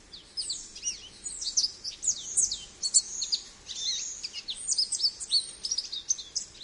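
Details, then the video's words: American goldfinch singing a long, continuous, fast-paced warble of high twittering, swept and slurred notes with little pause. "American Goldfinch Call | American Goldfinch Singing | Goldfinch Sounds"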